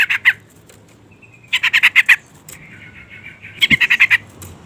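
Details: Harsh chattering series from a female sooty-headed bulbul calling to a male: two quick notes, then a run of about six scratchy notes, a thin drawn-out trill, and a final burst of six.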